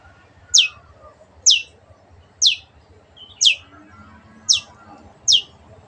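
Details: Long-tailed shrike, a kept bird whose clear song is used for training other birds: sharp descending high notes repeated about once a second, six in a row, over a low background hum.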